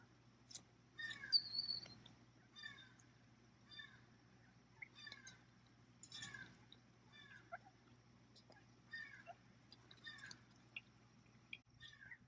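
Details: Ducklings during the 2018 hatching season, recorded on the afternoon of 9 August: a bunch of them peeping in short, falling chirps, repeated rapidly and irregularly, with a steady low hum underneath.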